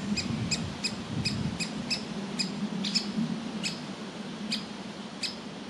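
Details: Young woodpecker in a nest hole calling to be fed by its parents; brisk series of short clipped calls that slows and spaces out toward the end, over low humming background noise.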